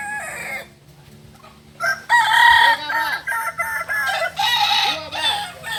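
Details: Roosters of the kukuak balenggek breed from Solok, West Sumatra, practising crowing: several overlapping crows with stepped, multi-syllable harmonic notes, plus clucking and background murmurs.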